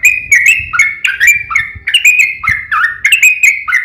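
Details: Yellow-vented bulbul fighting song used to goad other birds into singing: bright, slurred warbling notes jumping up and down, punctuated by sharp clicks, with faint low rumbling underneath.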